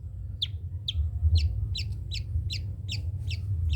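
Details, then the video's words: Long-tailed shrike in trotol style, a tutor song for other birds: a quick series of about eight descending whistled notes, roughly two per second, over a heavy low hum. "CENDET COCOK DIBUAT MASTERAN BURUNG CENDET TROTOL"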